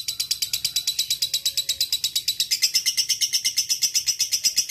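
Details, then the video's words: Fighter lovebird calling a rival with a long ngekek: rapid, even, high-pitched pulses run continuously, growing slightly louder and more ringing in the second half. "LB FIGHTER NGEKEK PANJANG masteran lovebird ngetik ngekek panjang"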